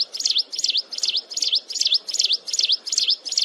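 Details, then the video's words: Mountain wren, close-up of continuous shrill song: a high, twisting phrase repeated about every 0.4 seconds, nine times in quick succession, with a soft rustle underneath. "Tiếng Hót Liên Hồi Chói Tai Của Chim Hồng Tước Núi"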